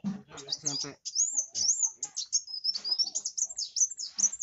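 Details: Kolibri wulung (Van Hasselt's sunbird) singing energetically: very high, thin, rapid twittering and squeaky slurred notes in a continuous run, following a second of a man talking at the start.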